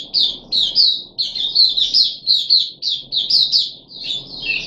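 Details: Caged puff-backed bulbul, third day after deworming, July 2021: strong high chirping in pulsing clusters, notes slurring downward, repeated steadily for nearly five seconds before a longer falling note ends the run.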